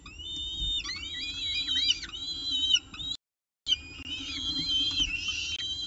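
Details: Peregrine falcons feeding at their nest in the evening, nestcam recording, 18 October 2018, 6:51 pm; continuous high, sliding, wavering screeches in overlapping strings, interrupted by one brief silence.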